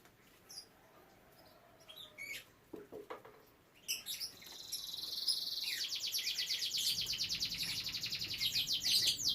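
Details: Captive domestic canary at a breeding setup with young canaries: a few scattered chirps, then a long, loud, even buzzing trill of rapid repeated notes, steady for several seconds.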